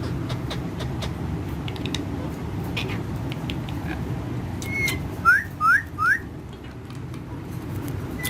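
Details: Pet parrot with other parrots: a short level whistle, then three loud upward-sweeping whistled notes in a quick row, set against a steady low background hum and scattered soft clicks.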